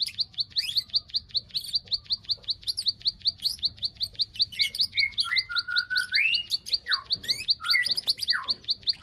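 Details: Bar-winged prinia lure to trigger breeding condition: fast, even, high-pitched clicks run throughout, joined in the second half by lower slurred whistles and descending notes from another bird.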